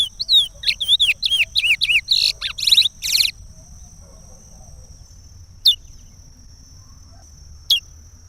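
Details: Regional Pará song of the chestnut-bellied seed finch, played to teach chicks. Quick, twisting whistled phrases come in a three-second burst, then two lone sharp notes follow over a faint constant high hum.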